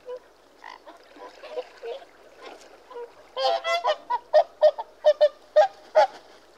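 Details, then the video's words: Whooper swans giving loud, nasal, bugling honks, with several birds calling together in a quickening series of about eight clear notes near the end. "Whooper Swan Bird Call"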